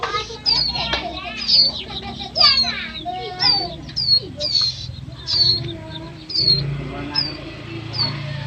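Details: Bar-winged prinia, known locally as ciblek sawah: thin, high, downslurred notes repeated about once a second, with children's voices and chatter loud in the first half.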